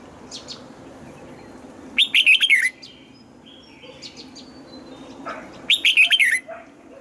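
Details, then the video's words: Morning training song of a red-whiskered bulbul in the old wild double-note style. Two loud phrases of five fast, rising-and-falling whistles arrive about four seconds apart, with light background chirping. "Luyện giọng cho chào mào hót sáng, ép chào mào hót âm kép già rừng hay tuyệt!"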